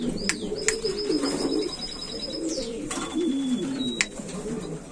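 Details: A domestic pigeon of the old Valencian pouter (buchón valenciano antiguo) breed gives a low, rolling, throaty coo in long wavering phrases, while thin high chirps from small cage birds and a few sharp clicks sound behind.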